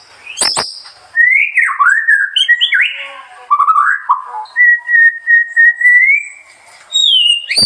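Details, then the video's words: After sharp clicks, a murai sings loud slurred whistles and then holds a long, steady whistled note that slowly rises. A final descending whistle and another click follow. "kicauan burung, murai"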